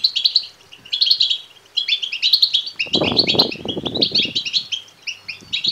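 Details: European goldfinch chicks begging, intended to stimulate males to sing and mate; strident high chirps in repeated rapid bursts, with a patch of low rustling and thumping near the middle.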